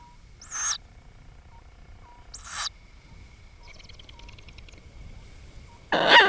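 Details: Tawny owl chicks, newly hatched in a nest in a century-old chestnut tree in a Bonghwa forest, South Korea, beg for food at night with harsh hissing rasps about every two seconds, one buzzy rattling burst, over a thin hum.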